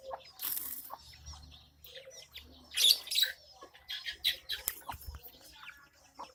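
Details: Javan myna bathing that is angry at being watched gives rough, scratchy calls in quick irregular bursts, mixed with short high chirps. Splashing and flapping sounds come in between.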